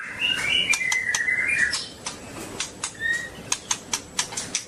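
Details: Long-tailed white-rumped shama: a short run of bright whistles for under two seconds, one more whistle later, and a series of evenly spaced sharp clicks.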